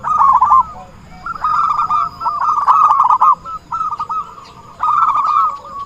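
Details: Trapping lure call of the zebra dove: four or five separate bursts of fast, bubbling coos at steady pitch, each under a second long with short quiet gaps between, and faint chirps in the background.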